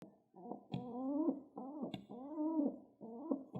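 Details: A pet pigeon, excited while being petted, gives soft throaty coos, each swelling and bending in pitch, about three in quick succession, with sharp taps as it pecks the ground between them.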